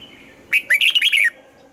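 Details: Red-whiskered bulbul in morning song training: one short introductory note followed by a rapid string of bright, bubbling whistled notes, rising then dropping, in about three quarters of a second.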